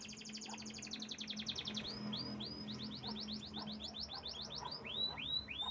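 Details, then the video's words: Canary singing in a fast run of repeated notes: rapid rattling trills that shift into upward-curving whistled notes, each phrase repeated several times per second, with a steady low hum underneath. "Burung Canary Juara Top"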